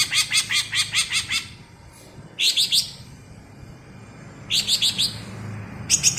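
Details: High rapid bebeci song of a greater green leafbird (cucak ijo) from Alas Purwo, Banyuwangi: a run of about eight ringing clipped notes, then short bursts of three or four notes after pauses.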